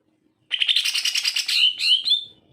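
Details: Greater green leafbird in energetic song, used as a tutor for leafbirds slow to sing: a fast chattering trill of rich notes runs into slurred, rising whistled phrases.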